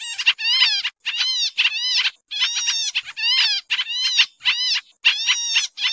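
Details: Agitated Pied triller used as a lure for catching birds: rapid, harsh, arched nasal notes with many overtones, strung into repeated bursts roughly every half second, no background sounds.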